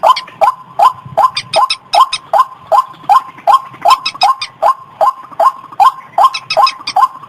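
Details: Long even sequence of white-breasted waterhen lure calls, harsh clipped notes repeated about twice per second in a very regular rhythm, each with a high clicking edge.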